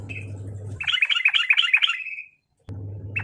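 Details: Sooty-headed bulbul fighting call to provoke other birds: a quick burst of about eight bright chirping notes ending in a trailing slur, followed by silence, a low hum before and after.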